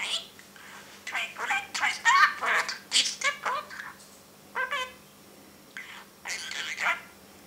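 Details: Caged parrot talking, a run of short speech-like syllables and chattering bursts with some harsh broadband notes, pausing between phrases in a quiet indoor room.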